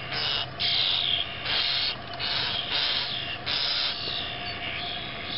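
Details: 2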